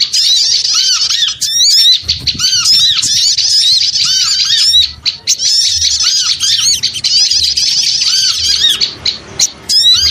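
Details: Noisy flock-like chatter of small birds meant to attract birds: sustained shrill squeaks and looping arched notes, regular lower downcurved whistles, a brief fade near the end before chatter resumes.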